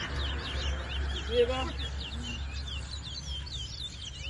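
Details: Towa towa seed finch singing during a bird race, a singing competition, in New Amsterdam, Guyana, 2022; quick twittering, warbled notes overlap one another, with a steady low hum and a person's voice underneath.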